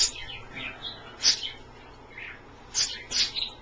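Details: Pet Australian parrots bathing indoors in a shallow dish of water kept a little below lukewarm, giving sparse high chirps and short squeaky notes in scattered bursts, with quiet gaps between them.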